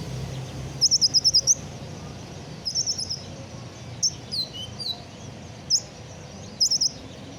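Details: Freshly moulted captive sunbird sings a fast run of high staccato notes, then scattered sharp chips and falling slurred whistles, irregular and bright above faint low noise.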